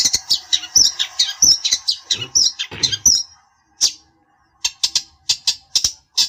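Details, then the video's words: Rapid high scratchy chatter and whistles from a long-tailed shrike, then a short pause followed by spaced harsh notes; meant to provoke a rival. "pancingan burung cendet bikin emosi lawan nya jamin nyaut"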